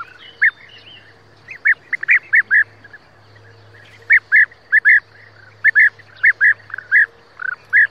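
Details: European bee-eater (Merops apiaster), call.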